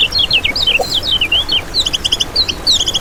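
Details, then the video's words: Kecial kuning, the lemon-bellied white-eye, as lure and training song: a fast run of high, bright, slurred whistles, ending in quick staccato twitters with a steady faint hiss behind. "Masteran Kecial Kuning Untuk Pancingan n Pikat"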